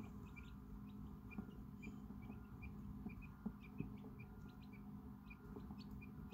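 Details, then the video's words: Quail chicks about five hours old exploring a brooder, one especially vocal: many soft, high, short peeps scattered through the clip over a steady low hum. "hours old chick sounds"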